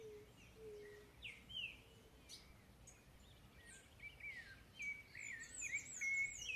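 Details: A chalk-browed mockingbird delivers varied whistled phrases and sharp chirps that grow busier toward the end, alongside a low soft whistle early on and a constant hiss of outdoor ambience.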